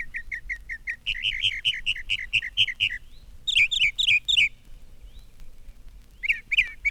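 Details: Northern Mockingbird singing from a telegraph pole, likened to a brown thrasher but repeating small groups of notes three or four times; clear high chirped notes in rapid series, a short pause, then repeated bright phrases and a final burst.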